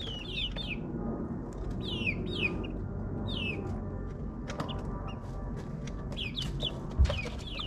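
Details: Nine-week-old backyard chicks in suburbia give bright, descending whistled peeps in short bursts, with pauses between groups, over a constant low rumble like a distant lawn mower.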